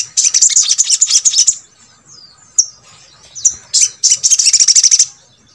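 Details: A brown-throated sunbird, played as a training recording to get quiet sunbirds singing, sings high, thin, rapid twittering bursts with sharp chips in the middle, then a fast, glittering run of notes to finish.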